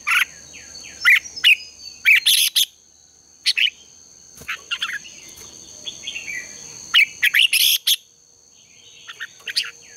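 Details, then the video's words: Red-whiskered bulbuls singing in contest style for training captive birds: loud clustered chattering bursts alternating with softer sliding whistles, several birds overlapping, under a continuous shrill insect-like tone. "Luyện chào mào hót sáng | chào mào hót đấu"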